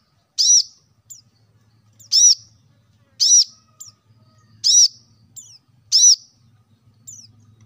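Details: Plain-throated sunbird, known as kolibri kelapa or manggar, used to prompt caged birds to sing: five strong, high, arched chirps spaced about a second apart, each followed by a thin, faint downslurred note, over a soft low hum.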